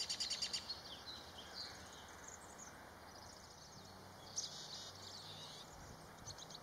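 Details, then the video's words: Black-capped chickadee recorded on March 13th, 2022: a quick burst of high, buzzy, stacked notes in the first second, followed by faint thin high calls over steady background noise. "Black-Capped Chickadee"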